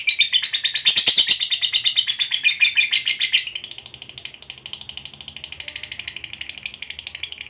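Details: Lovebird ngekek panjang, a long chatter used to goad other lovebirds into song; loud rapid high rasping notes that drop in volume after three seconds and continue as a softer, steady chatter.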